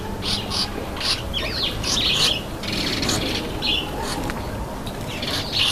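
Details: Red-headed finch bathing, giving short high chirps and squeaky notes scattered through the clip, with broadband splashing and wing-flutter bursts from the bath.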